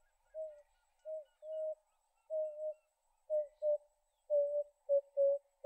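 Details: Emerald-spotted wood dove (Turtur chalcospilos), call.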